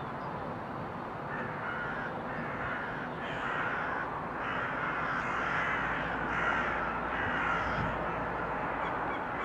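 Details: Crows heard in February 2023, a string of drawn-out hoarse caws about every second over constant background rumble.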